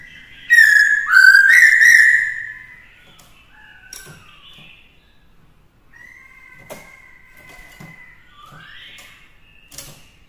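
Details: Captive black-throated laughingthrush in forest-voice song for training a young bird: one loud, rich rising whistled phrase early on, followed by faint, sparse whistles and a few clicks.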